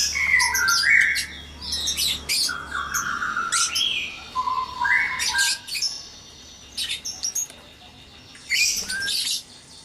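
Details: White-rumped shamas in a breeding cage at dawn: rich whistled phrases with varied, partly slurred notes at mid pitch, mixed with high sharp chips and buzzy bursts, several voices overlapping noisily, with brief quiet gaps between phrases.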